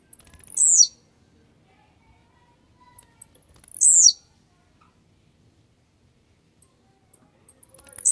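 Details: Blue-black grassquit, described as warmed up and aggressive, giving short, very high buzzy bursts about every three seconds, each a quick sharp phrase, with silence between.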